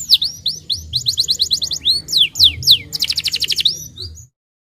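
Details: Starblue canary song played to get young canaries singing and rolling: repeated hooked whistles, loud falling swoops and a quick pulsed trill, ending in silence.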